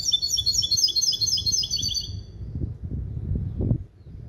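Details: Goldfinch and canary hybrid, male goldfinch father and canary mother, trained to sing limpio goldfinch base calls. A dense, high, rapid trill of repeated notes fills two seconds, followed by low rumbling background noise.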